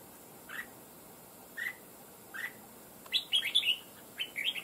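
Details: Three single clear chirps spaced about a second apart, then a rapid run of loud warbled notes from a wild-trapped red-whiskered bulbul kept as a fighting bird.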